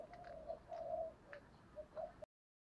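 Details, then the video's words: Spotted dove giving a faint, low cooing phrase of short notes and a longer hooting coo, recorded as a lure for wild doves, with soft background hiss; cut off near the end. "tiếng cu gáy thúc giọng hay"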